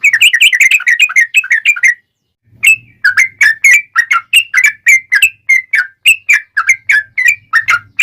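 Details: Sooty-headed bulbul song used to lure other birds into answering: a rapid cluster of chirpy whistles, a short pause, then a long series of separate sharp whistled notes repeated about three times a second.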